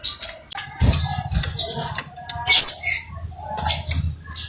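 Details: Crimson sunbird (sepah raja) singing energetically: rapid high twittering and thin whistled phrases mixed with scratchy chatter and rustling, over a low hum in the background.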